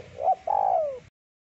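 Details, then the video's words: Spotted dove with a thick voice, its song used as a lure for birds: a short rising coo, then a long cooing note that slides steadily downward, with faint low hum behind. "Suara Burung Terkukur Deruk Derkuku Gacor Suara Tebal Buat Pikat Luar Biasa"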